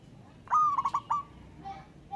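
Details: One brief call from a local wild-type zebra dove summoning a rival: a sharp coo followed by three quick stuttering notes and a drawn-out tail, then faint distant cooing.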